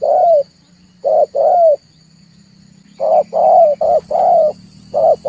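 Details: Cooing of a dove played as a lure for bird trapping, loud repeated coos in groups of one, two and several, with a faint low hum underneath.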